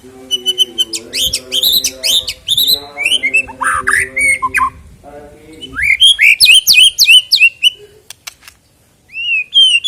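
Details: White-rumped shama song played to prompt singing ahead of a contest; dense fast sequences of sharp rising whistles and clicks over a steady low hum, ending with a few clear rising notes.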